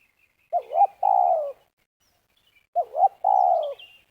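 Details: Spotted dove heard in Liwa, West Lampung, Indonesia, while villagers lure doves for trapping. It gives two phrases about two seconds apart, each a quick double warble leading into a sustained coo that slides downward. Soft high chirps sound faintly.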